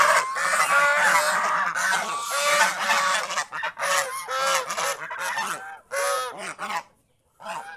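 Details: Geese roaming the fields around a house, honking busily in quick irregular bursts of nasal calls, about two per second, fading to brief silence near the end.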